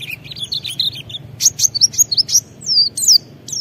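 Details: Short burst of lively white-eye 'ngalas' singing, used to stimulate other white-eyes. Fast, wavering mid-high twitters give way to sharper high chirps and a few looping down-slurred whistles.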